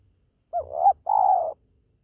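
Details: Spotted dove call used to lure pet birds kept at home: a short double-noted coo followed by a longer, steady, slightly falling coo, both mid-pitched and husky, then silence.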